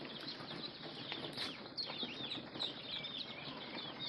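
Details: A group of ducklings gives a steady stream of high, thin peeps, many overlapping, with a few slightly longer downslurred notes among them.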